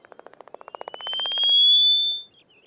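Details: Cape clapper lark aerial display early in the morning in late winter: a quickening run of about fifteen dry wing-claps, then a long, thin whistle rising steadily in pitch.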